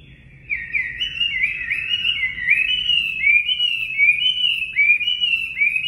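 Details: Natural 'mộc' song of a Chinese hwamei, played to train caged birds: loud, looping whistled slurs repeated a little over once a second after a quiet opening.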